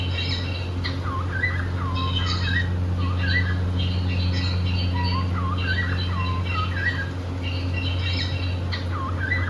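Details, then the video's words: A happy cockatiel pair at play indoors: quick hooked chirps and short squeaks tumbling in irregular clusters, bright and repeated throughout, over a low continuous hum. "Happy cockateil bird singing and playing"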